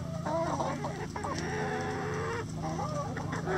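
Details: Chickens in a coop give short, overlapping clucks and soft murmuring notes, several birds calling at once over a steady low hum.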